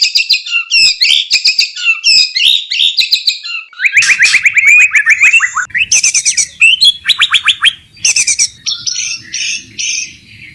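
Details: Wild white-rumped shama in breeding condition, eager to mate, delivering a long varied song. Fast chattering bursts lead into rapid descending trilled runs and sharp whistled phrases, separated by brief pauses. The recording is clean.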